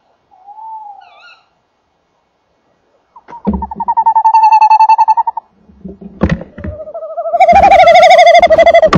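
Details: Tawny owls, male and female, calling at the nest box on a January 2014 evening; a short hoot, then a long quavering tremolo hoot, knocks and scuffles, and a louder wavering hoot overlaid with a sharp rising shriek.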